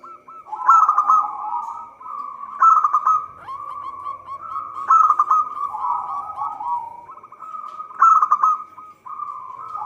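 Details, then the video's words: Local zebra dove in full song, kept as a lure for trapping birds: loud rolling, bubbling coo phrases recur every few seconds, linked by softer wavering cooing trills, with a thin steady whine behind. "Perkutut lokal gacor suara cocok untuk pancingan"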